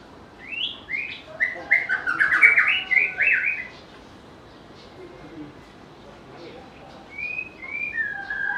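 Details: White-rumped shama, known for a sweet, versatile voice that imitates other birds, delivering a burst of rising whistles and fast jumbled warbling, then a pause before several drawn-out, downslurred whistled notes.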